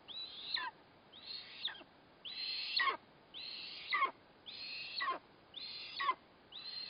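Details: Eastern imperial eagle feeding its chick, 4 August 2024, the prey a kite: harsh, rasping notes, each slurring downward, repeated about once a second in a steady series of seven.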